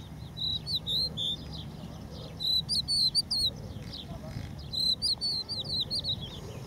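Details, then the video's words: Crested lark on the beach refuge at Empuriabrava, Spain, where the species is strictly protected, giving bright whistled song phrases of several bending notes, three bursts spaced about two seconds apart, with low wind-like rumble beneath. "song of the crested lark - Gesang der Haubenlerche - Cogullada"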